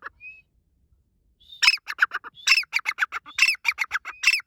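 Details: Grey francolin calling during breeding season, a thin whistle then a loud fast series of harsh, ringing, stuttered phrases, each starting with a short rising whistle and repeated roughly every second.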